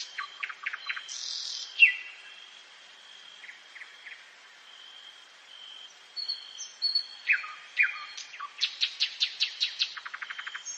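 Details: A common nightingale singing at night in the forest. Its varied phrases mix quick repeated chips, soft whistles and harsh notes, with quiet pauses between them, and close with a loud rattling burst of rapid, evenly spaced notes.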